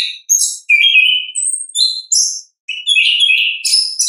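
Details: Orange-headed thrush in ngeplong song, recorded in nature: a fast string of bright whistles and sharp high notes. Sustained slurred phrases alternate with short bursts and a brief pause. No background noise.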